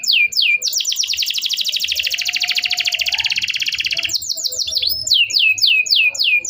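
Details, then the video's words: Singing canary, a long continuous lure song for canaries that have stopped singing: dense buzzy high trill lasting about three seconds, then crisp repeated downward-slurred whistles, with a faint lower whistle midway. "kenari gacor panjang Cuit Cuit EMOSI, Pancingan Kenari Paud Belajar Bunyi, terapi AMPUH Kenari MACET"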